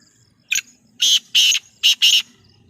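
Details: Sindhi black francolin calling: five harsh, grating, buzzy bursts, one short note followed by two pairs of longer notes, separated by brief silences.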